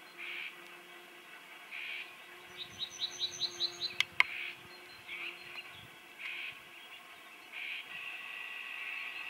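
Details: Possibly a common whitethroat, alarmed: regular short rasping churrs repeat roughly every two seconds, a series of thin high ticks comes in the middle, and two sharp clicks sit over a constant noisy outdoor background.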